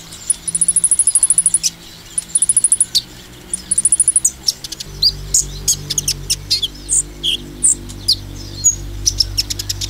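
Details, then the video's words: Provoking 'nembak' song of a sunbird: three repeated bouts of thin, very high ticking trill, then scattered sharp chirps and slurred whistles, over a background hum that grows louder midway. "konin nembak mancing emosi konin lain"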